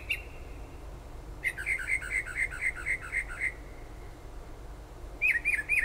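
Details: Unidentified bird singing at all hours of late night and early morning outside a kitchen window in Toms River, south-central New Jersey, near the shore: one clear whistle, then a fast run of about ten chirped notes, then a few more after a pause, over steady background noise.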